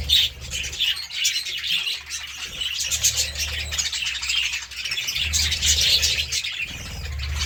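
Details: Budgerigars feeding on seeds and vegetables give dense, continuous high warbling chatter with overlapping chirps and squeaks, several birds at once, over a steady low hum.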